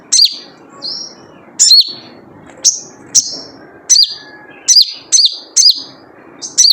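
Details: Typical wild sogon (sunbird) 'jrejet cuit' lure call: a rapid string of about a dozen thin, high, sharp chirps, some paired closely, others spaced half a second apart, with soft background hiss.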